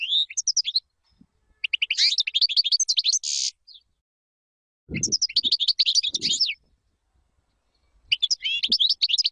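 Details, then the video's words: European goldfinch singing a clean song meant for teaching chicks: rapid bursts of high twittering notes with buzzy rasps, three phrases separated by silences, faint low thumps in between. "تغريد طائر الحسون بدون أخطاء لتعليم الفراخ"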